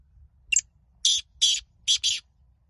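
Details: Black francolin (kala teetar) calling in a contest; one short sharp note is followed by four loud, grating, evenly spaced rasps, with a faint low murmur underneath.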